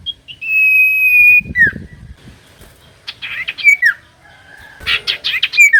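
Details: Common iora song, used as a lure to get reluctant birds singing: a long steady whistle, then sharp downslurred notes and loud buzzy chattering bursts, with a brief low fluttering noise in between.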